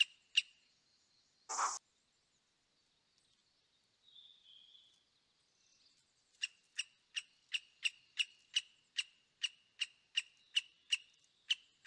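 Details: Himalayan Woodpecker calling in the background at Manila, Almora, Uttarakhand, India, gives sharp, high tchik notes about twice a second in a steady run, after a short harsh burst and a soft lower note.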